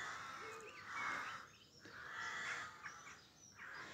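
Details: Rook calling at about 5am on 25 May 2024 in an urban area of Pulford, Chester, Cheshire, England, during the spring dawn chorus: three harsh, hoarse caws about a second apiece, spaced over four seconds, with faint birdsong around.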